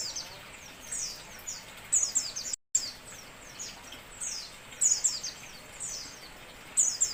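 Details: Lure recording of white-eyes: repeated sharp, high, falling chirps and twitters in clusters every second or so, briefly cut to silence midway, with a light background hiss.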